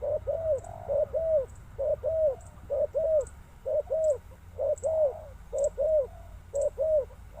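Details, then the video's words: Spotted dove delivering a quick regular chain of low arched coos in pairs, around nine pairs in seven seconds, with faint high ticking notes above. "Sound Of Spotted Dove is so good"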